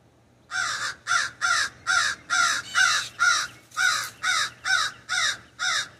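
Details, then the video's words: Raven perched in an ash tree in a backyard, calling from the branches: a rapid run of about twelve harsh, hoarse croaking caws, each short and rasping, delivered roughly twice a second with brief gaps; no other clear sounds. "The Distinct Call of the Raven"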